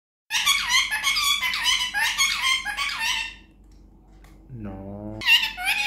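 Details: A pet Indian ringneck parrot says "Mithu Bety" in high, harsh, rapid bursts of mimicked speech over about three seconds, then gives a brief lower human-like voice and more squawky chatter.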